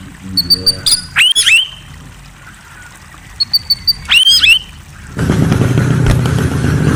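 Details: White-rumped shama singing at night: a few high thin notes, then two bursts of steep rising and falling whistled sweeps, repeated about three seconds later, before a wash of steady broadband noise takes over.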